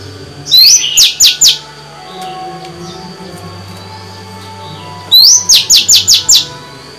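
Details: A female Oriental magpie-robin sings, a recording meant to stimulate males: two bursts of bright, rapid, high chirping notes, each a quick run of four or five sweeping notes, over a low steady hum.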